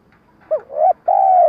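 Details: Spotted dove lure call for trapping: a brief rising note, then a swelling coo and a long steady low coo that fades slightly at the end.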